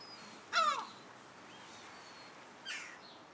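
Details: European herring gulls, a pair with a chick, recorded at Alkmaar, Holland, on 17 July 2011: one loud, rough call that drops in pitch, then a quieter, shorter call about two seconds later.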